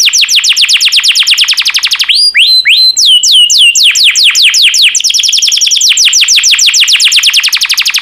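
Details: Caged yellow canary singing sweetly: rapid series of falling whistled notes, a few slower swooping phrases, then another long fast run of descending notes.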